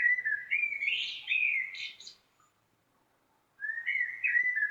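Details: Common blackbird song: a long mellow, whistled phrase that wavers and rises into squeaky high twitters, then silence before a second fluting phrase begins lower and trails off.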